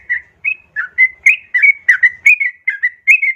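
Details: Lure call of a female yellow-vented bulbul summoning a male, meant to make caged birds sing: a lively series of short gurgling, whistled notes about four per second, each slightly different in pitch.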